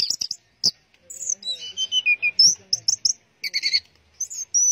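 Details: Teler song of an Orange-headed thrush: high chirps, then a long gliding falling whistle, then quick bright notes and buzzy bursts.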